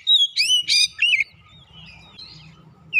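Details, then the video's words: Oriental magpie-robin song played as a lure to prompt other birds to sing, with bright whistled notes and fast descending chatter in rapid bursts, then a quieter stretch of faint warbling over low rumble before a final whistle. "PANCINGAN KACER macet bunyi sudah pasti ikutan gacor"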